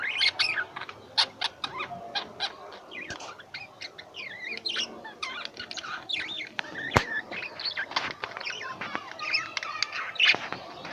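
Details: Pet lovebirds twitter continuously in rapid, high, scratchy chirps and squeaks, a dense chatter with one sharp click near the middle.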